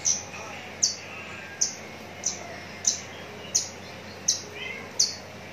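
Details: Javan bush lark at Cikupa, Tangerang, uttering single very high, sharp pips at even intervals of under a second, with quiet background noise between them.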